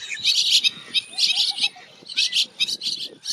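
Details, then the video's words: Bank myna from the northern plains of India, calling in a neighborhood: harsh, scratchy chirps in dense bursts of about half a second, repeated roughly once a second, with a faint low series of soft notes underneath. "Bank Myna Chirping Sound - Bank Myna Calling Sounds"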